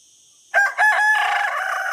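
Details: Rooster crow beginning with two short choppy syllables, then a sustained loud harmonic note held to the end of the clip.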